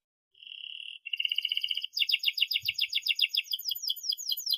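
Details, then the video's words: Canary singing as a model for young canaries learning to sing: a steady high whistled note, then a buzzy trill and a fast rolling trill of rapidly repeated bright notes. "kenari gacor panjang NEMBAK TAJAM ini ahlinya untuk PANCINGAN KENARI PAUD BELAJAR BUNYI"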